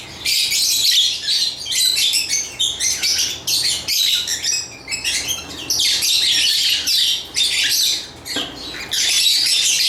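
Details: Busy, continuous lovebird chirping: rapid shrill twitters and raspy squeaks packed closely, with only short breaks, loud throughout against a faint hum.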